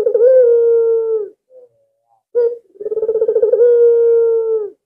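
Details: Very vocal albino collared dove kept as a lure bird: a sustained low hollow coo, a short quiet note, then a trilled, throbbing coo flowing into another long drawn-out tone.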